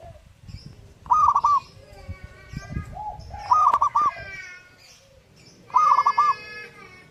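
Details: Three phrases of rapid, bubbling staccato cooing from a zebra dove, repeated about every two and a half seconds. Faint chirps, other bird calls and a short click fill the gaps.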